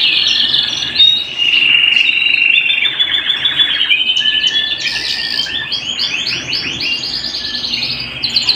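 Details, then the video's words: Canary singing at home, a sustained whistled roll followed by a series of rapid repeated trilled notes that rise higher, then soften toward the end. "canary bird - canary singing - canary sounds - canary singing at home - beautiful canary birds"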